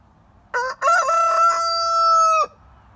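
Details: Rooster crowing and shaking: a brief first syllable, a short gap, then a sustained loud, rich, even-pitched crow lasting roughly one and a half seconds, ending abruptly over faint low background hum.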